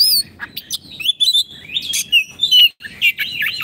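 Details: Caged Oriental magpie-robin singing a training song: a rich run of clear whistles, sliding slurs and scratchy chirps in quick, uneven bursts with brief pauses between phrases.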